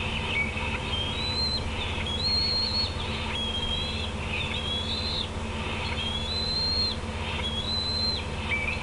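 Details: Bald eagle parent and two juveniles at the Decorah nest, 18 June 2016, 8:48 PM CDT. Repeated high, slurred whistles come in short bursts about once a second, some dropping at the end, over a steady low hum.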